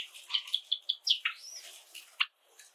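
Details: Java sparrow song indoors among a flock of seven pets: an evenly spaced run of bright chip notes accelerating into a buzzy burst and a soft arching whistle, ending with one sharp chip.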